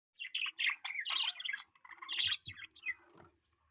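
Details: Pet budgie chatters in a busy stream of warbled, scratchy chirps and squeaky notes lasting about three seconds, varied in pitch with short gaps, over a near-silent background.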